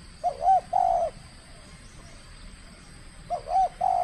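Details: In its first contest, a trained spotted dove from Kepri, Indonesia, repeats a cooing phrase twice, about three seconds apart. Each phrase has two bouncing, rising notes and then a longer, level coo.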